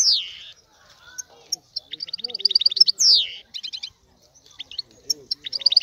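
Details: Male European goldfinch singing excitedly to stimulate a female to mate: rapid trills of bright twittering notes broken by sweeping descending whistles, with short pauses between bursts and a faint soft low sound beneath.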